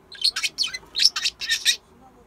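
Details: Pet parakeet recorded during a sleep-talking session; a burst of six or seven loud, bright, scratchy chirps in quick succession, then silence.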